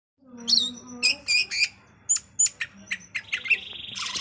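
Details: Caged greater green leafbird singing a varied run of sharp chirps and short high whistled notes, bursts spaced irregularly, ending in a fast buzzy trill; a faint low hum sits underneath.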